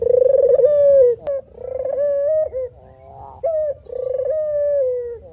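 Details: Manggung cooing of a male spotted dove (puter). Coarse, pulsed coos with long even middles and downward endings are linked by short upslurred notes, in an uneven, continuous series, with a faint tick between phrases.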